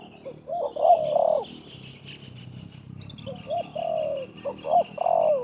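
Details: Spotted dove calling during a 2024 trapping session, wild bird and decoy dove answering each other: two bursts of soft, throaty, falling coos in short-long groupings, with faint high chirps from other small birds above.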